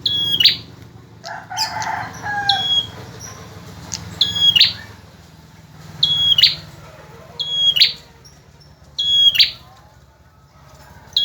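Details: A chatty male bar-winged prinia, recorded as song for other birds to learn: six high whistled phrases with buzzy ends, spaced about every two seconds, with a brief lower call near the start.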